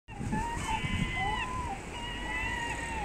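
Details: Herring gulls scavenging rubbish in a city give drawn-out, slightly wavering mewing notes, two or three in a row, over a steady low rumble of traffic and outdoor noise.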